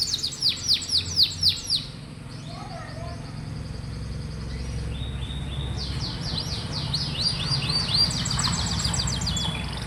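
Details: Canary singing as a tutor track for young or lazy-singing canaries. Bursts of quick repeated whistled syllables, a quieter gap with low rumbling background noise, then a fast high trill resumes.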